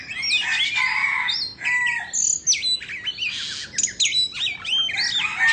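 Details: White-rumped shama of Indonesian stock singing as it dances with fanned tail; loud, fluid song mixing long level whistles, hooked slurred notes and quick chattering sweeps, delivered in continuous varied phrases with brief gaps.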